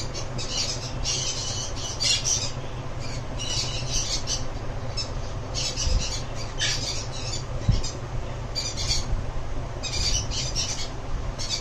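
A sun conure gives harsh, grating squawks in bursts every few seconds over a low indoor hum.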